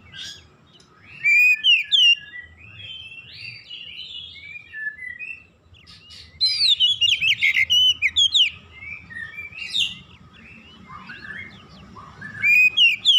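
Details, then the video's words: Oriental magpie-robin tutor song for training a raw bird, delivered in three bursts of rich, varied whistles, trills and sharp chirps, separated by quieter pauses with soft notes, over a constant faint hum. "TERAPI MASTERAN KACER BAHAN"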